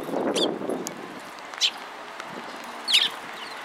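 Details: A few sparrows at Mizukami Bridge, afternoon of 31 March 2022, give three short, sharp chirps with pauses between them. A muffled rustle comes at the start.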